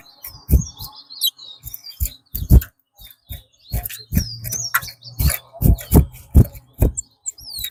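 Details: Chestnut-bellied seed finch (twa-twa) singing in a twa-twa race at Rosehall, Guyana: thin, high, twisting whistled phrases recur throughout, cut through by loud low knocks and thumps.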